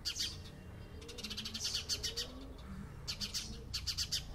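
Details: House sparrows chatter together in rapid, shrill chirps grouped in short bursts roughly every half second, with soft low sliding hoots and faint background hum.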